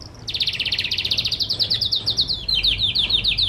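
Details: Canary singing to train other birds: a fast, loud, high rolling trill of rapidly repeated notes, shifting partway into a slightly lower, choppier trill of downward-slurred syllables.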